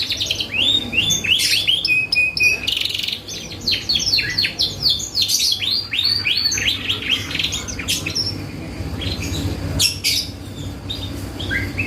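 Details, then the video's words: Lure song of a canary, meant to trigger other birds into answering: continuous fast chirped sweeps and trills, a brief steady whistle early on, phrases tumbling about four per second, low background hum. "PANCINGAN BURUNG KENARI GACOR"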